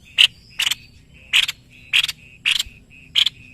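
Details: White-bibbed babbler in Indonesia, singing energetically as a master bird: rough, grating double and triple bursts roughly every half second, with a thin high whistle between them.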